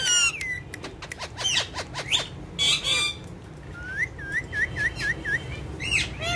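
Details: Two talking, dancing ringneck parrots. Chirps and squawks open the recording, then a series of five quick looping whistled notes, then more harsh calls.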